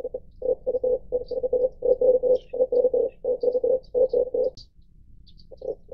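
Red collared dove giving a low, gruff cooing series of quick rolling pulses, running on for about four seconds, with faint high chirps of other birds.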